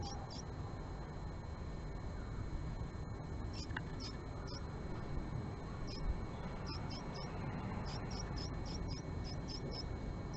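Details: Japanese tit, male at his nest box visited by a female on the morning of March 20, 2022: scattered high notes at first, building to a rapid series of thin repeated chips near the end, above low rumble.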